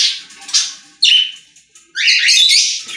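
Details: Several budgerigars, also called parakeets, singing inside a pet store; two loud bursts of harsh chattering warble broken by a short pause, with squeaky high notes threaded through.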